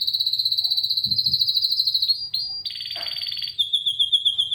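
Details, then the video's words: Canary in song, holding a long rapid rolling trill, then a harsh buzzy burst and a thinner high trill of repeated slurred notes; soft low background hum. "Canary Singing"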